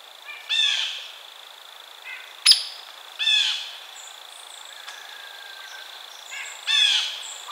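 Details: Three harsh, descending calls from a blue jay, spaced a few seconds apart, with a sharp click in between and faint chirps in the background.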